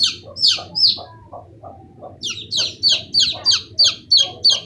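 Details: Chicken chicks giving high, falling peeps: three spaced cheeps, a quieter gap with soft low chirps, then a rhythmic row of loud peeps about three per second.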